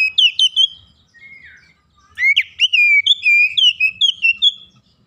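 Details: Kacer, or oriental magpie-robin, a raw bird under training, in full gacor song bringing out its isian repertoire: quick whistled flourishes, a brief pause with a soft note, then a long chain of clear descending whistles.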